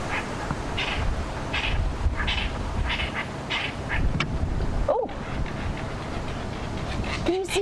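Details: Lilac-breasted rollers on safari in the Sabi Sands, chasing a hoopoe and shouting angrily, give harsh, rasping squawks about every three-quarters of a second over a low rumble, with a man speaking briefly.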